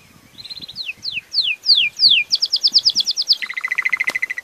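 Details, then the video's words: Belgian canary song opening with a soft trill, then descending whistled slurs, a fast series of bright repeated notes and a lower rapid rolling trill; a sharp click near the end. "CANTO DO CANÁRIO BELGA"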